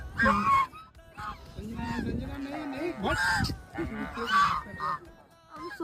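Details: Many ducks gathered at a pond's edge give loud, nasal, honking quacks in quick overlapping bursts, a noisy chatter with brief pauses; a human voice is faintly heard too.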